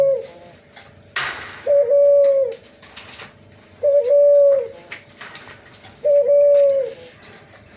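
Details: Cuhu Kelantan hybrid dove, F1 of Kelantan spotted dove and tangerine collared dove, with its unique flute-voiced coo: three level, pure, drawn-out notes each about a second long, spaced roughly two seconds apart, a brief rustle early on.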